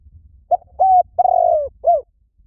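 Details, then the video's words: Spotted dove calling, used as a lure for other birds: one cooing phrase of a short note, a level hoot, a long rolling trill-like coo falling slightly, then a short closing coo, over faint low rumble. "Tiếng Chim Cu Gáy Gọi Hay Vang Xa . kích mồi cực hay"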